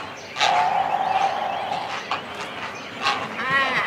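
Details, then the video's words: Cormorants calling from a nest within a colony, chicks and adults close by: a sustained thin, reedy whining note lasting about a second, followed by scattered clicks and a short harsh croak. "Cormorant. CU Calls From Chicks And Adults On Nest. Colony Sounds."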